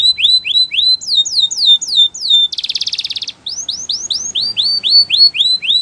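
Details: Spanish Timbrado canary training song with repeated rising whistled notes, a stretch of descending sweeps, a rapid metallic rolling trill, then more upward-slurred notes in quick series, about 214 per minute, sung loud and close.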